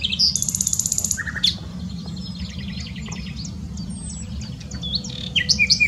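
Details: Nightingale song recorded at Dohr, Eifel, Germany, opening with a quick series of about a dozen sharp repeated notes, followed by a lower buzzy phrase and a scatter of varied high chirps and whistles against a low background hum.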